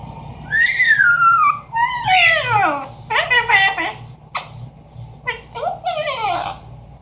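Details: Amazon parrot that talks and imitates sounds: a long falling whistle, then rapid, speech-like chatter of harsh squawky syllables and swooping notes, loud and varied.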